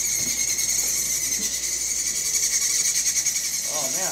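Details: Fledgling chimney swifts clinging to the sides of a box inside an incubator at a city wildlife rescue, giving a continuous intense, high, buzzy chitter that never pauses, with low voices of people underneath.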